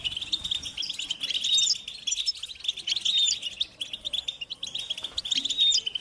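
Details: European goldfinches chattering and singing in nature; rapid tinkling twitter with clear drawn-out whistles and buzzy trills, coming in surges from several birds at once.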